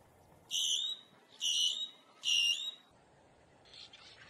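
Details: Boat-tailed grackle, a common bird here filmed in the wild, giving three loud harsh rasping calls about once a second, each a broad high buzzy burst with layered bands, then a fainter call trailing off against quiet background hiss.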